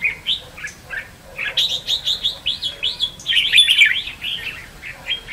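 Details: Red-whiskered bulbul in contest song used as trap decoy: a run of arched, slurred whistles repeated about every third of a second, building to a bright, dense flourish.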